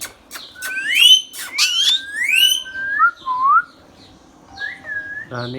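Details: Talking pet ringneck parrot gives a rich run of bright, upward-sweeping whistles with ringing overtones, then lower gliding notes and a short falling whistle, ending in a brief harsh buzzy sound.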